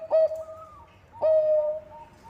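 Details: Zebra dove (Geopelia striata) song used as a lure to make other birds sing: two soft, mellow coos about a second apart, each a short rising note drawn into a level, wavering trill.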